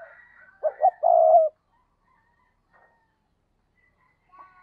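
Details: Decoy spotted dove cooing to lure wild doves: two quick low notes, then one long, steady coo, followed by near silence with faint distant calls.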